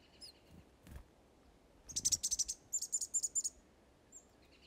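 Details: Western Mountain Chickadees, skittish wild birds being coaxed in and hand-fed off-grid: two quick bursts of very high, rapid chipping notes, roughly ten in all, followed by a few faint thin chips against a quiet background.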